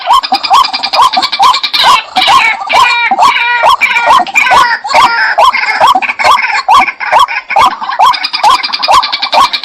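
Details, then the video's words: A steady run of croaking white-breasted waterhen calls, about two per second, with a burst of overlapping, wavering higher notes around the middle. "Jal murgi bird video & sound effect || water hen bird video"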